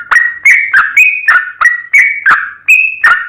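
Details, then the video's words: Yellow-vented bulbul (trucukan) in prolific song, used as a lure to provoke other birds into singing: loud, liquid whistled notes bending around a steady pitch, about three per second, with short clean gaps. "SUARA TRucukan Gacor ROPEL PANJANG PAncingan TRucukan Agar BUnyi"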